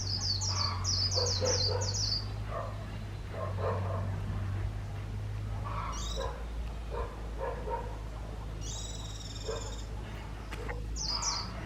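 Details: A decoy white-eye used for bird trapping sings short bursts of thin, high twittering with pauses between phrases, over a steady low hum and scattered mid-pitched clicks and knocks.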